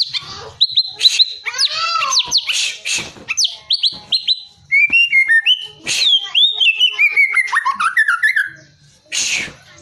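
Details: White-rumped shama trained for contest singing pours out a long, varied phrase: ringing whistles, sweeping downslurred notes, fast repeated chips and harsh bursts, with a short pause near the end before a final loud note.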